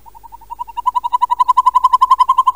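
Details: Northern Hawk Owl, a nocturnal Idaho owl able to catch a mouse under a foot of snow, gives a fast, rolling trill of mid-pitched notes, about ten a second, swelling from soft to loud over two and a half seconds.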